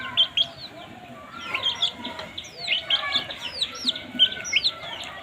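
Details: Baby chickens chirping while feeding, kittens among them: sharp high peeps sliding downward, several overlapping birds calling in bursts with soft rustling underneath.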